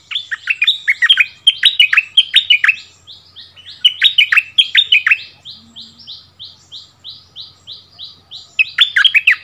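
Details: Two bulbuls trade song as a returning decoy meets the new territory owner: loud bouncing phrases of downslurred notes alternate with a long even series of thin, high, clipped notes repeated about three per second.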